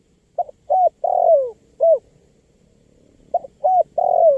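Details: Spotted dove call, played to lure wild birds; two clean phrases, each made of short mellow hooting notes followed by a longer coo that slides downward, with a quiet pause between the phrases.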